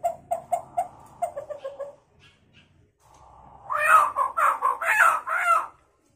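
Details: Talkative hill myna copying a chicken: rapid repeated clucks about twice a second, then a hum. After that comes a run of loud, harsh, squawking calls, each rising and falling.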